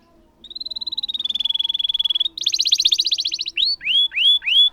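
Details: Canary in lively song, a long roll played to encourage silent canaries: a steady even trill slowly falling in pitch, a harsher buzzy roll, then several rising whistled notes.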